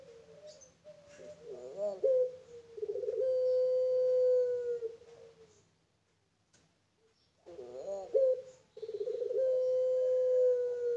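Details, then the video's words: Pelung-type Barbary dove kept on a bird farm. It repeats its phrase twice: a wavering, rolled rising note flows into a long, steady, even coo held for several seconds. The phrases are separated by a short silence. "Puter Pelung Paud"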